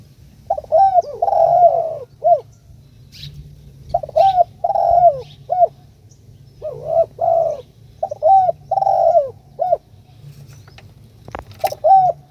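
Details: Spotted dove calling its companion: hoarse cooing phrases of a short note, two drawn-out coos and a clipped final note, repeated roughly every two seconds, with scattered clicks over a low steady hum.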